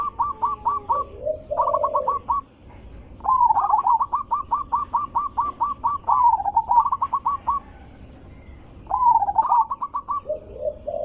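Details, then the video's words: Zebra dove with a big, melodious voice used as a lure for other zebra doves: long rapid strings of clipped, bubbling coo notes in near-continuous phrases, broken by short low purring coos. "Suara Besar Merdu ampuh untuk pancingan burung perkutut"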